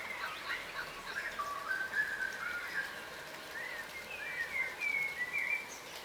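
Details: Yellow rosellas, a crimson rosella subspecies, foraging on the ground. Soft, scattered chatter builds into clearer whistled slurs near the end. The background is quiet and hissy.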